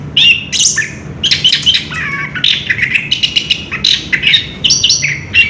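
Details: Orange-headed thrush singing ngerol, recorded 3 March 2016: rapid, dense chatter of scratchy and whistled high notes, phrases running together without a break, over a faint low hum.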